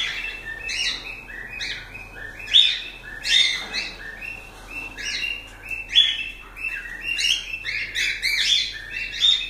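Cockatiels chatter in a steady stream of bright, high chirps and short whistled notes, several birds overlapping with sharper squawky peaks every second or so.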